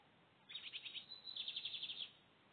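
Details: Lined seedeater, or bigodinho, recorded in the 2023 season: two bursts of a rapid, buzzy trill of evenly repeated notes, the second brighter and longer, over faint background hiss.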